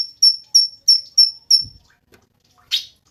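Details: Cungkok giving five quick, high whistled notes in a row, then falling silent before one short buzzy note; a low thump is heard after the whistles.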